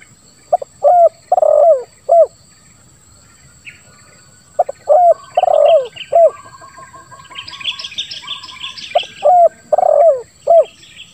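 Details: Spotted dove, a grating call with one 'kuk' note, repeated as three phrases of short notes and a long burred falling coo, about every four seconds, with higher chirping and trilling of other birds between phrases.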